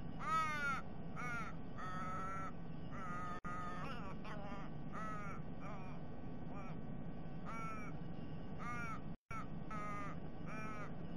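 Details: Ravens, three thought to be a family with a begging fledgling, raiding a sea-eagle's nest on a nest camera, 23 December 2021, eating the eggs: about ten harsh, drawn-out arching caws in eleven seconds over a steady low rumble.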